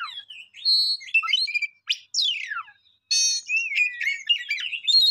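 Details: Songbird song of varied whistles, falling slurred notes and rapid buzzy trills, delivered in bursts separated by short silences.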